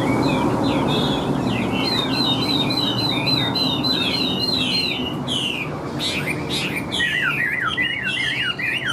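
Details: Chinese hwamei, large with yellow legs and bill, giving a continuous song of rapid wavering whistled notes at steady pitch, later breaking into lower looping slurred whistles; a constant background hiss runs throughout.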